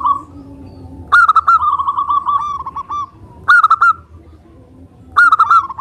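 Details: Local zebra dove in lively song, used as a lure to make other doves reply. Three separate phrases of fast, bubbling coo notes arrive about two seconds apart, the first longest, each with a brighter opening note.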